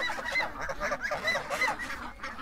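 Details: Domestic goose honking while held and being calmed by a person, repeated hoarse nasal honks roughly every quarter second, harsh and strained, with handling noise close by.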